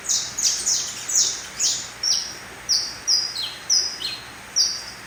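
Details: Young mutation canary, three months old, sings a series of sharp, high chirps, quick and clustered at first, then spaced about every half second, each note sliding slightly downward.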